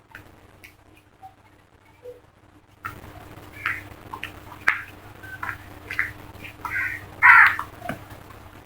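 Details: Crows in a flock: quiet at first, then a run of hoarse caws of varying length, ending with one louder, longer, rasping call.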